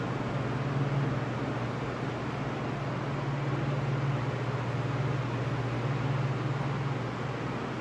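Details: Continuous engine-like hum and broadband hiss with a steady low drone, no calls or song heard.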